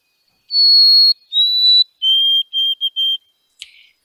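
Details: White-throated Sparrow song recorded in July in New York, the classic form: a long, pure high whistle, a slightly lower second whistle, then a run of short, even whistled notes on one lower pitch. A faint click follows.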